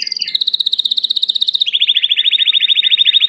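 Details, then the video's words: Belgian canary delivering steady rolled tours: a high even trill that steps down slightly in pitch, then switches abruptly to a lower, faster pulsing roll, loud and clear without other sounds. "COMO FAZER SEU CANARIO CANTAR MUITO 20 MINUTOS DE CANTO"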